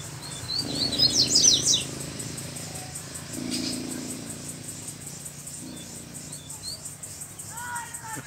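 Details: Free-living double-collared seedeater, a black form with a bluish-white bill, singing strongly: a quick burst of high, sharp twittering notes lasting under a second, then scattered chirps, over a steady pulsing insect drone and low rumble.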